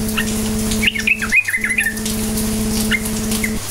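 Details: Sooty-headed bulbul in energetic 'cukcuk nguplik' song, played to provoke silent bulbuls into singing; a brief burst of quick, liquid, up-and-down warbled notes mid-way, with faint scattered chirps and a constant low electrical drone.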